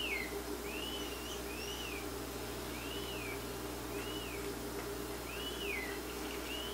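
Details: Rose-breasted Grosbeak chick in Quebec begging while its mother feeds it. Clear whistled, arched notes rise and then fall, repeated roughly once a second. A steady low hum sits underneath.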